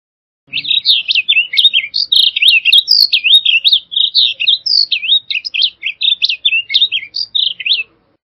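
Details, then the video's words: Continuous rich warbling from a blue grosbeak, over seven seconds of hurried, twisting, musical notes that rise and fall with barely any gaps; quiet background apart from a soft low knock at the beginning. "Blue Grosbeak Song! Blue Grosbeak Call! Grosbeak Song! - Picogrueso Azul Canto"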